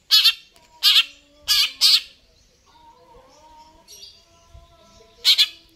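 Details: Greater green leafbird in full song: rough, buzzy notes delivered singly and in pairs, then a lull with soft level whistles and faint low thumps, and a final harsh burst.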